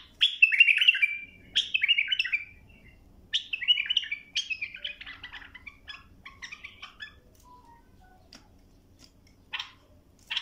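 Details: A bulbul singing a series of tutoring phrases for young birds: loud warbled whistles repeated every second or two, then softer scattered chirps and clicks, with a sharp burst at the end.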